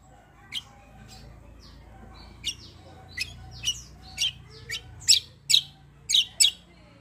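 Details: Black-winged myna giving a fighting-style rolling song. About ten sharp harsh notes rise in loudness over seven seconds above a steady low background hum.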